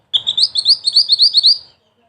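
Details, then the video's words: Mantenan song of the ngerol tembak type, used to tutor songbirds: a sustained run of rapid, high, pointed chirps, a dozen or so notes over about one and a half seconds. "Mantenan Mungil Cantik Dengan Suara Pedas"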